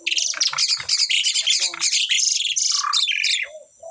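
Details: Continuous loud scratchy chattering from a pair of Asian pied starlings, kept and very vocal, fills nearly four seconds with dense overlapping harsh notes before ending in a couple of low whistles.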